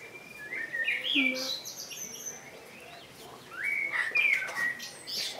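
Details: Blackbird song in two phrases: a rich descending whistle at first, then after a pause a longer run of fluty notes with a thin high ending.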